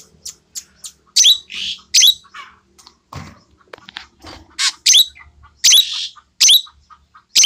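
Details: Asian glossy starling, tame and caged, black-plumaged with red eyes, singing clear shrill notes: sharp loud screeches mixed with short ticks and chips, irregularly spaced over several seconds.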